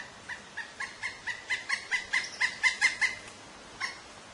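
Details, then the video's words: A Pileated Woodpecker that has landed in a tree close by gives a loud, ringing run of about fourteen quick 'kuk' notes, swelling then fading, then one final note; the call frightens a baby red squirrel in its nest. "Pileated Woodpecker Call"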